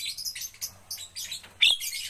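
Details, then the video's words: Javan myna being trained to sing often: harsh, buzzy high chirps in rapid bursts, with a sharper squeak near the end and a steady low hum underneath. "melatih jalak kebo agar cepat gacor"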